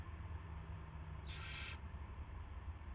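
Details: Owl at a nest in early morning, 9 March 2016, when prey (a rat) is delivered: one short, rasping hiss-screech lasting about half a second amid a constant low rumble.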